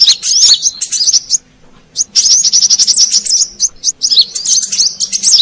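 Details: Brown-throated sunbird heard as a lure for wild birds: high rapid chirps and looping whistles, a silent gap around two seconds, then a long fast twittering phrase.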